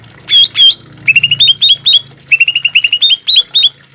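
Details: Green leafbird, recorded to train caged birds: two loud swept whistles, then rapid groups of short rising chirps in bursts, with a soft low rumble behind.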